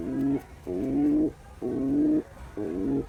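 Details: Four deep, rolling coos from a male pigeon courting a female, each lasting about half a second and separated by short gaps, with a low hum underneath.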